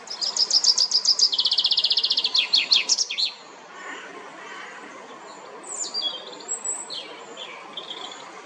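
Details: Common chaffinch singing at La Perle du Lac in Geneva, Switzerland, a song for territorial defence and mate attraction: a bright, fast, descending trill of repeated notes lasting about three seconds, followed by quieter thin calls of other birds.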